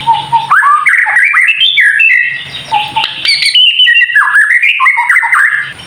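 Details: Kretekan singing by a White-rumped shama, used to rouse other shamas: opens with a low steady whistle, then quick rising and falling whistled runs and brief crackles, over a soft low hum.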